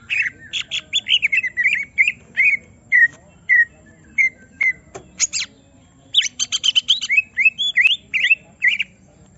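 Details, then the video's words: Greater green leafbird, caged and provoked, sings a long run of repeated whistled notes, then a burst of harsh rattles and looping whistles. "Semua Cucak Ijo Langsung Emosi Bongkar Isian mendengar suara Cucak Ijo lagi di Trek Emosi ini"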